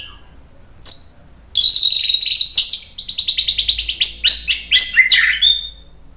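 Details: White-rumped shama 'tembakan' song for training birds to sing constantly: one sharp high note, a pause, then a long fast chattering series of repeated high notes ending in a falling slur.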